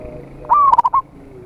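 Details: Zebra dove of a local Indonesian strain with a big voice, singing to lure rivals: one clear cooing phrase, a rising opening note breaking into a rapid stutter of soft notes, in a quiet background.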